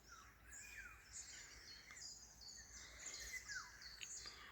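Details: Dawn chorus at half past six in Germany's Spreewald: many birds chirp and twitter, with high sweeping notes and quick repeated chips overlapping throughout, plus faint low background noise.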